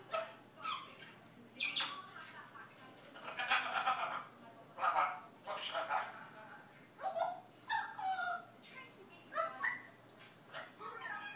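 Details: A pet parrot learning Dutch imitates speech in short, scratchy bursts of mimicked words such as good morning, kisses and where were you, with squawky bark-like notes and brief whistles at roughly one-second intervals.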